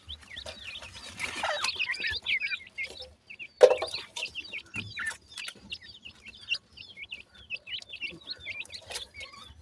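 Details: Partridge chicks in the forest chirp in a quick series of thin, high, slurred notes, broken by a loud clatter and scattered clicks.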